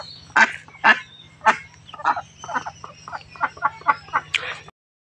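Young ducks give rough, nasal quacking calls, about two a second in an uneven run, over a steady low hum.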